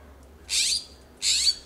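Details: California scrub-jays calling back and forth in a backyard in Pacific Grove, California, perched on a fence, coast live oak and Monterey cypress; two loud, harsh, raspy calls, each about a third of a second.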